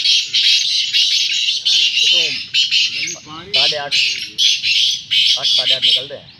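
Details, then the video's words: Kala teetar, or black francolin, in quick 'chakri' calling: loud grating phrases repeated almost without pause for several seconds, with a man talking quietly in the background. "francolins voice | kala teetar awaz | kala teetar chakri | teetar awaz"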